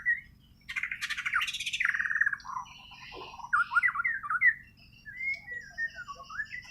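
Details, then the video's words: Borneo white-rumped shama singing naturally: a short whistle, then a loud buzzy rattling burst, a fast downward trill, and a string of varied sweet whistled and chattered phrases with brief pauses. "Kicau Burung Murai Borneo island"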